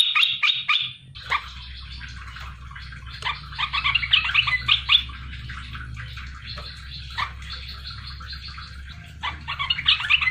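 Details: Wild-caught olive-winged bulbul with red eyes, kept for three months, sings loudly and sharply as a lure to prompt other bulbuls to answer: dense bursts of chattering, bubbling notes in repeated phrases separated by short pauses, over a steady low hum.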